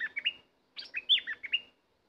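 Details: Two rapid bulbul phrases separated by a short pause, each a cheerful string of five or six gurgling, up-and-down whistled notes; otherwise quiet.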